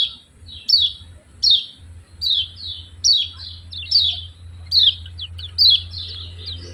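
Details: Yellow-vented bulbul, known locally as kecial kuning, in its 'ciak ciak' style: short, high, downward-slurred chirps in quick pairs, repeated about every three-quarters of a second over a steady low hum.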